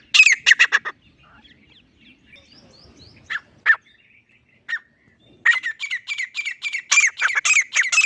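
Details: Grey francolin (teetar) gives a quick harsh series, then a few scattered notes over quiet background, then a long fast run of loud, evenly spaced, ringing notes.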